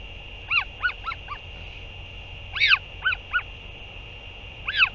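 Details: Northern royal albatross, 8 June 2023, parent back to feed its chick: clusters of short rising-falling honks, four quick notes, a louder double honk, two more, then a final honk, with background hum.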